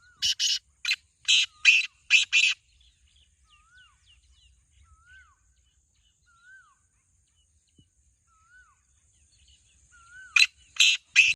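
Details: Rasping, scratchy calls of a kept black francolin come in a rapid run of paired notes, then a quiet gap filled with faint slurred whistles from another bird, before the harsh series returns.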